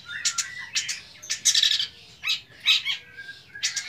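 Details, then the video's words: A young long-tailed shrike with a rich repertoire delivers a rapid jumble of scratchy chirps, sharp notes and brief whistles, bursts every half second or so, borrowed phrases mixed in. "BURUNG CENDET MUDA BERMATERI MEWAH"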